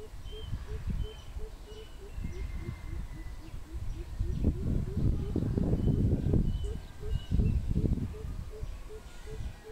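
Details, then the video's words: Greater coucal, recorded 16 April 2020, giving a long run of deep, even hoots, several per second, over loud low rumbling noise, with thin whistled notes from other birds. "សត្វល្អូត ឬ អែអូត | Greater Coucal"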